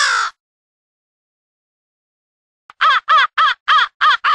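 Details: Crows from two separate groups calling to assemble in the early morning, mixed in a studio: one raspy caw, a long silence, then a quick burst of about seven short, hoarse caws.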